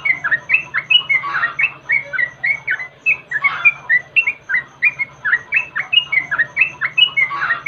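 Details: Lure sound of a yellow-vented bulbul, played to make birds sing: continuous bubbly chatter of quick warbled chirps, each note sliding up or down, delivered in a rapid, slightly uneven rhythm over a constant low hum.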